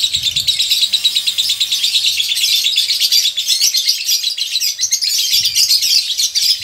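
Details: Male lovebird in a colony, showing breeding readiness, delivering a long, continuous ngekek trill, a dense high rattling chatter without break, with faint low thumps at the start and end.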